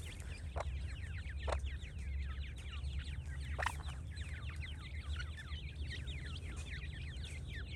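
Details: Francolin chicks peeping continuously in quick, thin, wavering notes, many overlapping, with a few sharp clicks or taps and steady low hum behind.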